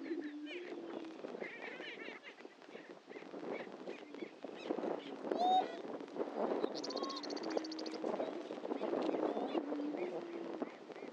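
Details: Greater prairie-chickens at the historic lek at Dunn Ranch Prairie, Hatfield, Missouri, give low, hollow, overlapping booming moans mixed with sharp cackles and whoops, with a brief high buzzy trill.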